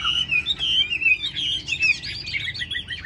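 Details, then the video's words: Tame caged Chinese hwamei singing while its cage is carried: loud, varied whistled phrases sliding and rising, with rapid chattering notes in the later part. "Họa mi xòe vip cánh đại bàng, chim thuần sách lồng vẫn hót"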